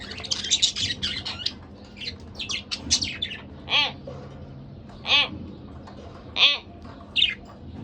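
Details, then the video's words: Pet budgerigar couple: busy twittering warble at the start, followed by four evenly spaced, strong buzzy squawks about every one and a half seconds. "Lovely Couple Budgerigar Bird"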